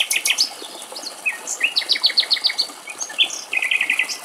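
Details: A male common chaffinch, feeding on seeds at a bird feeder somewhere in Greek countryside, sings bright, rapid, high notes in quick trilled series, with other chirping birdsong layered around it.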